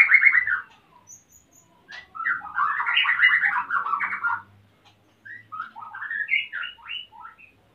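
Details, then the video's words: From Salaman, Magelang in Central Java, a breeding-condition male White-rumped shama seeking to mate, the female busy nesting: dense chattering trills and quick whistles in bursts separated by short silences, ending with bright rising notes. "MURAI BATU JANTAN SUDAH BIRAHI DAN MINTA KAWIN !!!"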